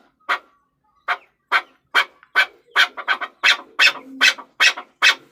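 A Chukar partridge gives a run of harsh, clucking chuck notes that speed up from widely spaced calls to a quick, rhythmic series, some notes doubled.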